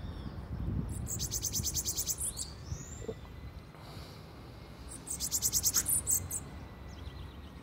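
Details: Bananaquit with an odd-sounding song, heard in the morning. Two short bursts of quick, very high, sibilant notes are separated by a pause of about three seconds, over faint low background rumble.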